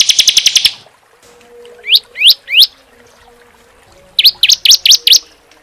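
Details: Bar-winged prinia singing on a training track for songbirds: a brief rapid burst, three rising slurred whistles, then a tight group of six sharp upward notes.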